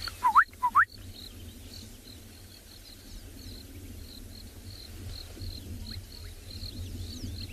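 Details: Gorgeous bushshrike calling, fairly distant, on a morning game drive at Ngala or Phinda reserve, South Africa, on 24 December: quick rising, liquid whistles in two short pairs, then faint steady chirping and a low rural hum.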